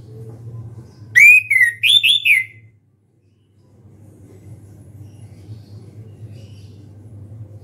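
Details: Orange-headed thrush singing loudly with open beak: a burst of about five clear, ringing whistled phrases in quick succession, some sliding downward, lasting under two seconds, followed by a low steady hum.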